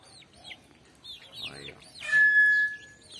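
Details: Brown tinamou (Crypturellus obsoletus) song in a backyard: a single pure, steady whistle held over half a second, preceded by faint falling chirps from other birds and a murmured voice.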